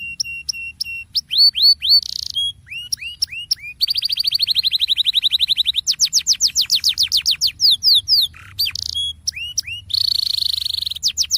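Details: Canary singing a rolling song, played as a lure to make canaries that sing too little join in: loud, fast, high-pitched trills of repeated upward-sweeping notes, broken by sharp whistled phrases and buzzy rolls, in clear close-up recording.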